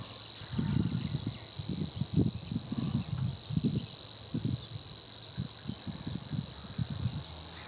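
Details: Savi's warbler (Locustella luscinioides) in reeds reels a fast, even, insect-like buzz that runs unbroken through the whole clip, over low rumbling gusts of wind.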